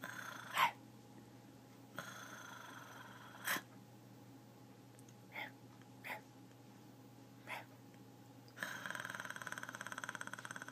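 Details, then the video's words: A pet talking macaw growls: short, harsh, breathy bursts every second or two, then a longer raspy, pulsing growl near the end, over a steady electrical hum. "the talking macaw growls"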